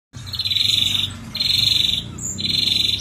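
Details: Ashy drongo in energetic gacor singing, a lure track filled with varied song (isian): three buzzy, trilled high phrases, each just under a second, separated by short pauses, over a faint low hum.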